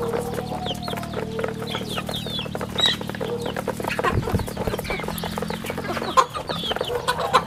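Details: Rural farm chicks give scattered high, falling peeps amid clicking and rustling. A low mechanical hum shifts partway through.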